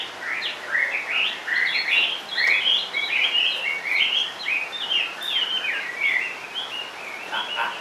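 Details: Caged Chinese hwamei singing low on its cage perch: a continuous flow of rich, slurred whistles and quick warbled phrases in varied pitch, steady and loud throughout, with no other clear sounds.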